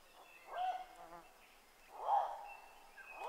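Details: Schalow's turaco in a garden in Lilongwe, Malawi, giving two hoarse, mid-pitched call bursts about one and a half seconds apart, over a faint background hum.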